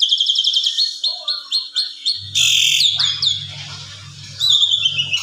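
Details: In the afternoon, an Asian pied starling sings a busy, full-repertoire run of quick, high chattering notes and whistles, rising and falling, used as a lure and as a master song for training; a low hum runs beneath the second half.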